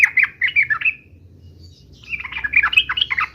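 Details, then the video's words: Yellow-vented bulbul in energetic 'uplik uplik' fighting song: two bursts of bubbly, chattering notes, the first trailing off after about one second, then a pause before a denser, rapidly warbled second phrase. "trucukan gacor UPLIK UPLIK TARUNG"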